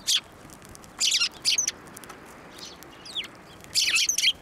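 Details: Sparrows flying onto a hand to be fed at a Tenmangu shrine in March 2024: separate clusters of harsh chirping, loud at the start, around one second and near the end, with quieter thin notes between.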